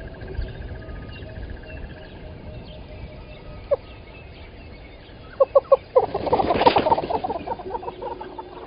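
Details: Yellow-billed and red-billed hornbills at Gowrie dam waterhole, Djuma Game Reserve, Sabi Sand Wildtuin, South Africa, 05:16 on 13 October 2020, live camera: a few sharp clucks, then a rapid loud burst of clucking notes, with faint other birds behind.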